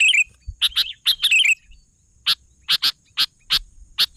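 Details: Sooty-headed bulbul (kutilang) opening with a fluid, gurgling whistled phrase and sharp chips, then a spaced series of single dry chip notes.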